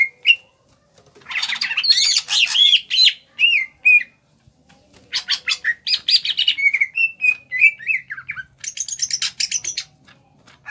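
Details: Greater green leafbird originating from Kalimantan, small-bodied, in ngentrok song: bursts of dense scratchy chatter, strings of rapid clicks, and runs of short whistled notes, ending with a high warbled phrase.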